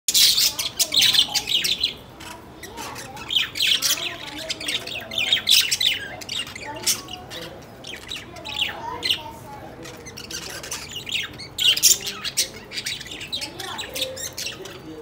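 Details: Budgerigars with their favourite food chatter in bright, scratchy chirps and warbles, a busy overlapping stream of high notes.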